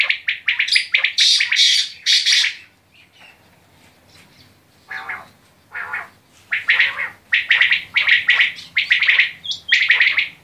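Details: Quail giving a rapid run of harsh, rasping bursts, then scattered softer notes and a steady series of scratchy calls about every half second.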